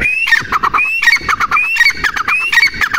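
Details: Grey francolin, presented as a female, giving loud, harsh repeated phrases, each a rising squeal followed by several clipped notes, recurring roughly every three-quarters of a second.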